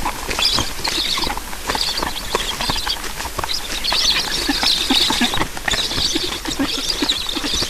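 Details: Black storks feeding at the nest in Estonia, 9 July 2019 in the morning. Rough hissing bursts repeat irregularly, mixed with scratchy clicks and rattling sounds.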